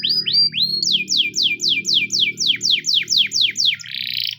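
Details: A canary, described as a Russian canary and heard as singing-training song, sings a rapid trill of bright, downward-sweeping whistles, about four per second, ending in a buzzy note, over a low background hum.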